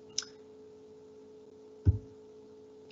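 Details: Quiet indoor room with a steady electrical hum, one sharp click near the start and a dull thump just before two seconds; no animal voice is heard.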